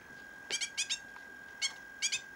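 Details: Rescued great tit fledgling calling loudly at close range: quick pairs of rasping, buzzy high notes repeated several times, set against a steady thin whine.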